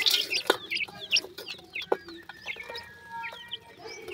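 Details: Male and female black francolin chicks give a busy mix of thin high chirps, short whistled notes and soft clucks, overlapping irregularly over a faint background hiss.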